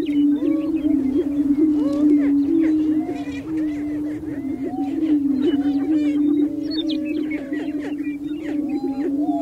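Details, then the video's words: Spring lek of male greater prairie chickens displaying to females on open prairie, North America: continuous deep droning boom beneath a busy jumble of arched whoops and cackles from a crowd of birds. "Greater Prairie Chickens On their booming Grounds - Mating Displays"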